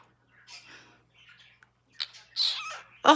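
A pet cockatiel gives short, breathy, sneeze-like bursts, answered by a person saying "bless you."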